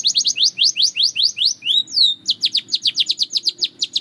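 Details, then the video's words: Belgian canary singing: a steady string of rising chirps about five per second, a swooping slurred whistle in the middle, then a quicker run of sharp descending notes. "The Melody That Turns Any Canary Into a Singing Star!"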